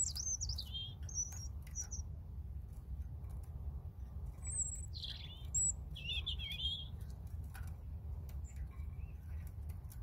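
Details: Sweet, high warbled phrases of a European robin, with looping whistles, thin piercing notes and a short rattling trill, each phrase separated by a pause, against a low steady hum.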